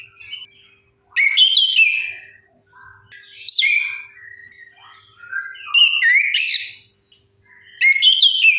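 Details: Orange-headed thrush song used as a lure to get silent birds singing: loud bursts of rich whistled phrases, rising and falling sweeps with harsher twittering notes, separated by short pauses and softer quiet warbles.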